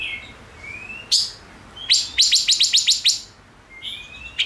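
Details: Five-coloured bird singing: a thin rising whistle, then a burst of fast, bright repeated chirps, about eight in a row, ending with another soft rising whistle.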